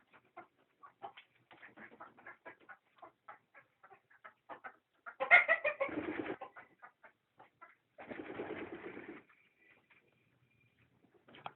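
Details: Country chicken flock giving short clucks in an irregular series, about three per second, rising to a louder, harsher burst of squawking near the middle and a noisy rustling stretch afterward, then sparse clucks again.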